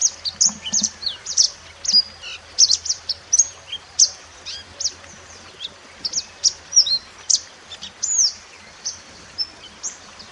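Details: Mountain white-eye in the wild, recorded as a master song for training other birds: rapid high chirps and short whistled notes repeated several times a second, sharp and bright, with a faint low hum beneath.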